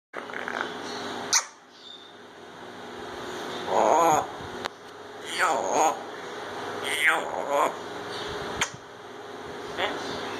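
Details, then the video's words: Grey parrot named Kiwi, a talking pet, speaks short, nasal, voice-like phrases in a few bursts, said to include "Ya Allah", with quiet room noise between utterances. "Kiwi The Talking Grey Parrot Says "Ya Allah" And More"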